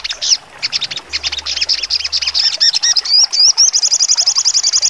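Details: A songbird, likely a sogon (trotol), delivers a fast, sharp, high-pitched song of varied chirps and slurred whistles, ending in a rapid, evenly repeated trill of about four notes per second.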